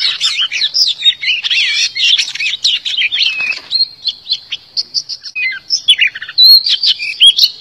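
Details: Oriental magpie-robin, decoy song for luring and trapping wild birds and stimulating singing: continuous varied warbling with swooping whistles, short clipped notes and trills, rich and fast-changing throughout.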